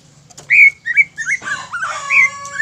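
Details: Greater green leafbird song used to excite other birds: a few long, clear whistled notes, some sliding downward, with a buzzy rasp in the middle and a low hum underneath.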